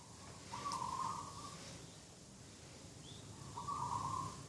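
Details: Morning dove call at a garden edge, 2 October 2021: two level, sustained coos about three seconds apart over a quiet hiss of background noise, with a brief faint chirp between them.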